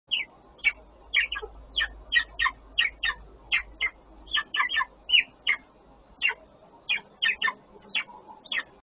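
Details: Male bearded vulture at Parco Natura Viva, Verona, giving a long series of short, sharp, high whistled notes, roughly two to three per second, about twenty-five in nine seconds, over a quiet background.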